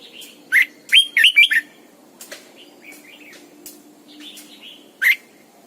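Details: Caged lure red-whiskered bulbul singing at morning in the double-note style of an old wild bird, used for training: a lone note, then a quick run of warbled slurred notes, later isolated chirps and light clicks.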